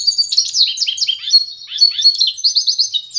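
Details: Canary × goldfinch hybrid known as pintagol delivers a rapid, high-pitched twittering song, run-together chirps and short trills in quick succession over a quiet background.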